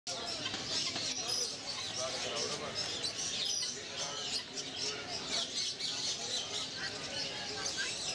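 A crowded chorus of quail: dense, overlapping high chirps and squeaky twitters run without pause, with occasional wing flutters and possibly faint voices beneath.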